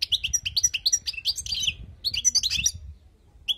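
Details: Wild European goldfinch performing tutoring song: a rapid, tinkling, bubbling twitter of high notes, each phrase about a second and a half long, with a brief silent pause between them.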